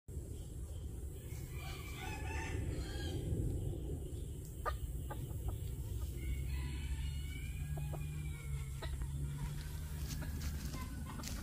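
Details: A Phoenix bantam rooster gives a drawn-out, hoarse crow that sags at the end, after some shorter squawks, over a steady low rumble.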